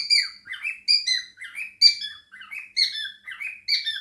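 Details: Cockatiel kept indoors with budgies, chattering: choppy run of scratchy chirps and short whistled notes, about one burst per second, irregular and lively.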